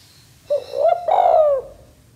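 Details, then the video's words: A male spotted dove gives one low, mellow coo in two joined parts, rising slightly then falling away over about a second, against a faint background hum. "Suara Tekukur Jantan Gacor"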